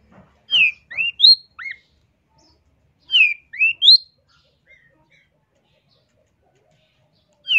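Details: Long-tailed shrike master recording for bird training: sparse groups of three or four clear whistled notes, sliding down then up, with long silences between phrases.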